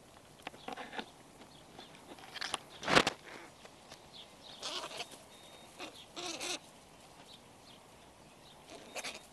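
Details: Many young crows, offspring that arrived late this season, quarrelling and bickering in a heap near a zoo window; scattered rasping, grating caws and short harsh squawks at irregular intervals, one sharp loud crack midway.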